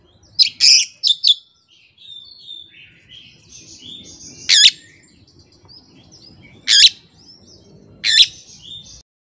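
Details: Oriental magpie-robin delivering its learned fill-in phrases without tutor recordings or an opposing bird: an opening run of loud ringing chirps, then single piercing whistled notes spaced about two seconds apart over soft twittering.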